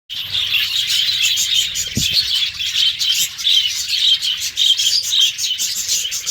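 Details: Caged pet budgerigars, kept alongside lovebirds, in the morning: dense, continuous high chirping and warbling chatter from many birds at once, with a brief low thump near two seconds.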